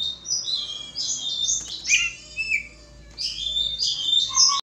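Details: White-rumped shama during a mating pairing of caged birds, giving a rich run of high whistled and warbled phrases with sharp slurred notes, pausing briefly near the middle before another burst of bright whistles.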